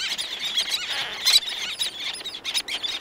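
Several black-naped terns give harsh, high squealing calls in a busy overlapping chorus, with more terns calling in the distance.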